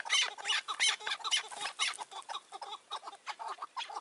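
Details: Chukar partridges calling in May 2024 during a hunt with a caged decoy partridge and a wary wild bird; rapid, harsh, broadband chuck notes in uneven bursts, with rustling noise between them.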